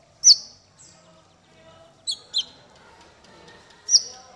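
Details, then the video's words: Male brown-throated sunbird, konin, giving a few isolated, piercing high chip-whistles with long quiet gaps between them. "Suara konin untuk masteran burung 100%jitu konin jantan"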